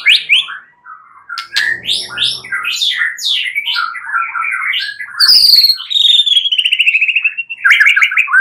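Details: White-rumped shama singing, used at night to stimulate other birds: dense varied whistled phrases, then a long descending series of rapid repeated notes.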